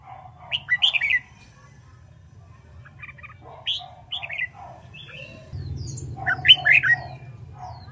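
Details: Red-whiskered bulbul in training for fighting-style song. Loud phrases of bright slurred whistles come at the start and near the end, while softer chirps and thin whistles from other birds fill the gaps over a low hum.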